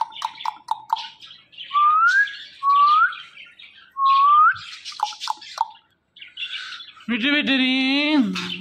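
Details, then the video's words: Pet talking parrot giving a run of short clipped chirps, then three loud rising whistles, more quick chirps, and a final harsh, buzzy, strongly harmonic squawk held for about a second and a half. "The Best And Smart Talking Parrots"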